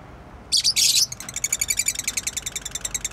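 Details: Loud high-pitched chirps from a pet bird, two dense bursts followed by a fast, even run of short twittering notes repeated roughly ten times a second until the end.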